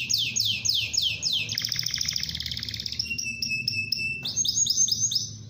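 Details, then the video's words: Canary singing with fast rolling trills: repeated descending sweeps, then a long buzzy rattle, a sustained flat whistled note, and rising chirps, all high and loud over a faint low hum. "SUARA PANCINGAN KENARI GACOR"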